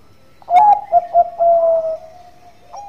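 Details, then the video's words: Bangkok-type zebra dove singing actively in a relaxed, melodious style, used as a lure to draw other birds into song; a few quick stuttered hoots lead into a long, level, mellow coo, then a final short note. "Perkutut Bangkok Gacor Suara Santai tapi Merdu Pancingan"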